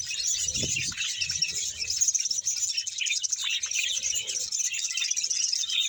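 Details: Colony of about 100 pairs of caged budgerigars in Bahawalpur, a dense continuous wash of high chirps, warbles and squeaky chatter from many birds at once, with a brief low thump near the start.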